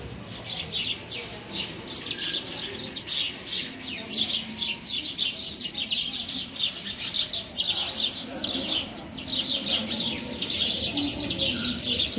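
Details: A flock of sparrows in Bucharest, Romania, chirping continuously: dense, overlapping high chirps and twitters with no pause throughout, some louder close calls standing out, above a faint low rumble.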